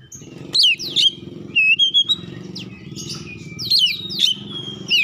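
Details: Magpie-robin lure song to provoke other birds: sharp high downslurred whistles and a steady thin tone over a noticeable low mechanical drone.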